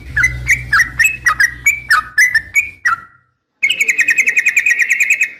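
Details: Female Yellow-vented Bulbul calling a male: a series of gurgling whistled notes, then a short pause, then a long quick buzzy trill. A low rumble sits under the first part.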